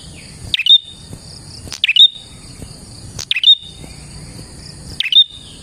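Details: Lure song of a prinia: four snappy chirps with a drop then a bright high tick, spaced one to one and a half seconds apart, backed by an unbroken shrill drone.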